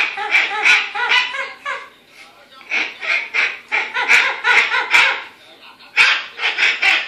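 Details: Pet umbrella cockatoo freaking out over a cockatoo stuffed toy: harsh, raspy bursts of chatter come in quick clustered runs, loud and insistent, broken by short pauses between volleys.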